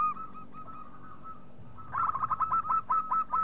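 Zebra dove giving a quick run of soft, staccato cooing notes, about a dozen in under two seconds, after a steady faint whistled tone.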